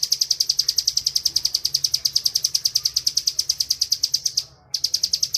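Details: High, rapid 'ngebren' song of a caged bar-winged prinia used for master training; sharp chip notes pour out in a long regular series, pausing a moment before carrying on.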